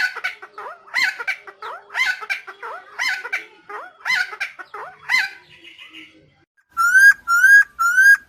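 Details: Helmeted friarbird (Philemon buceroides), Nusa Tenggara endemic, gives loud, harsh, gurgling song phrases about once a second, then three clear, rising whistled notes in quick succession; long-version lure recording.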